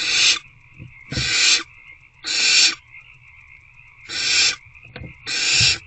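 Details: Nest box at night, 26 February 2024: hungry owlets trying to eat a rodent produce five rapid, noisy screeching hisses about one second apart, with soft low thumps and a continuous background hum.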